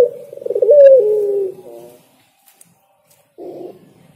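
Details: Spotted dove singing: a rapid stutter of coos runs into a long, smooth note that falls away, followed by a softer, blunt closing coo.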